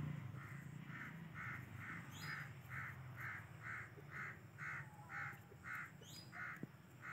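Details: A pet yellow rose-ringed (ringneck) parakeet gives harsh, grating squawks, roughly two each second in a steady run, over a low background rumble with a few faint high chirps.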